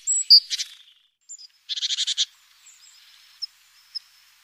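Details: Great tit at its nest box on a busy April morning, recorded by a webcam: a sharp high note, then two dense buzzy chattering bursts, followed by faint scattered thin peeps.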